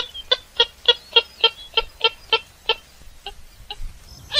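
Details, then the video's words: Purple swamphen cackling in an even series of about eleven clucking notes, roughly four per second, fading toward the end with a faint low rumble behind. "কালিম পাখির সেরা ডাক / বুরি পাখির ডাক / Kalim pakir duk /Purple Gallinule bird call"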